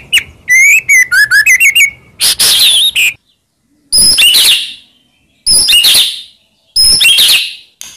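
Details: White-rumped shama song aimed at rivals: a rapid burst of repeated chips and whistles, then harsh, loud buzzy notes spaced about every one and a half seconds with silence between.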